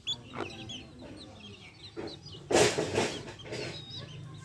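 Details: Backyard hens with chicks: faint high chick peeps, then loud, harsh clucking bursts in the middle, fading back to soft peeping.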